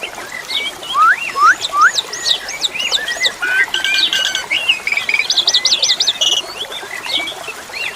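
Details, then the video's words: Asian pied starling singing a varied song of rising and falling whistles, rapid slurred upsweeps and buzzy chattering trills, phrases running together without pause, over a steady hiss of flowing water. "SUARA KICAU BURUNG JALAK SUREN"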